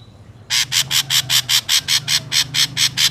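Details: Wild ashy drongo recording meant for luring birds into traps: a steady series of about twelve loud, rasping notes, roughly four per second, after a brief faint whistle.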